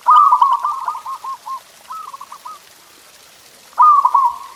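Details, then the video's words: Local zebra dove singing as a tutor song meant to get pet doves singing: stuttering, trilled coos near one pitch, two phrases early, a pause, then a loud phrase returning near the end. "Suara Masteran Perkutut Ini Bikin Burung Kamu Nggak Mau Diam!"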